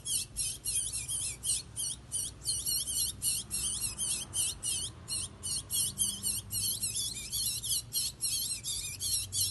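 A chestnut-bellied seed finch sings a steady stream of high, quick, sweeping notes in short bursts, about three or four a second, over a faint indoor hum.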